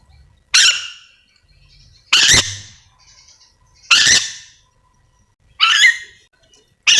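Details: Ornate lorikeet, a parrot endemic to Sulawesi, calling: harsh, broadband screeches, each a loud burst that fades quickly. Four full calls plus the start of a fifth come roughly every one and a half to two seconds against a quiet background.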